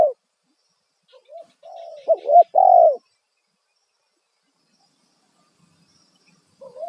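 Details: Spotted dove giving a loud single-kuk lure call meant to draw responses from wild birds: one low, mellow three-part coo, two short notes then a longer drawn-out note, with faint quieter coo fragments before and after and soft high chirps.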